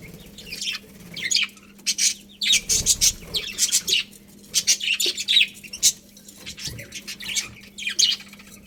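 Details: Colony of budgerigars chirping: bursts of high, scratchy twittering chirps in quick clusters, some overlapping, with short pauses between, over a low steady hum.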